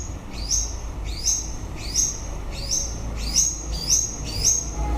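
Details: White-rumped shama singing at the end of the breeding season: a clear whistled phrase, rising then sliding high, repeated about every 0.7 seconds, seven times, over a low steady background rumble.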